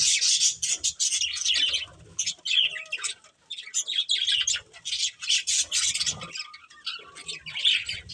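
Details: Pet budgerigars living as a family keep up lively, crackling high chatter with a few clear whistled notes, pausing briefly mid-phrase.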